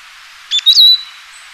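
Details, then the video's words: A Eurasian siskin (Spinus spinus) sings a brief high twittering phrase, a couple of quick chirps running into a thin drawn-out wheeze, over faint background hiss. "黃雀/Eurasian Siskin(Spinus spinus) singing"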